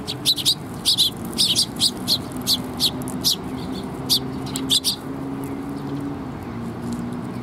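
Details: Several sparrows gathering at a perch platform to be fed, 7 June 2021. Bright, high chirps repeat roughly every half second for five seconds, then stop, leaving only low background noise.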